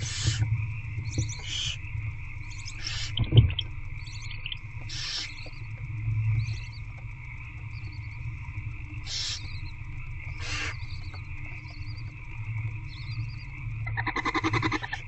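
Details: Barn owl hatchlings in a nest box being fed by their mother, night of 8 February 2024 around 9:20 pm; rough, breathy hissing bursts repeat irregularly every one to two seconds over a steady low electrical hum and a constant tone.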